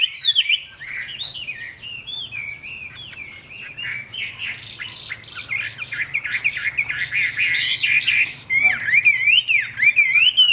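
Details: Vietnamese kept Chinese hwamei with fig-leaf tail and glossy plumage sings long, fluid whistled phrases, growing denser and louder, ending in sharp, sweeping repeated whistles.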